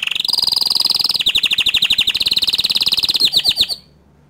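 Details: Song of a bottle-green canary, used to school young canaries: a high rolling trill sliding into about thirty fast pulsed notes, ending with a few swooping chirps and then quiet.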